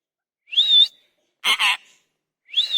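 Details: Parrot giving a high wavering whistle, a harsh raspy double burst, then another rising whistle, each separated by about a second of quiet.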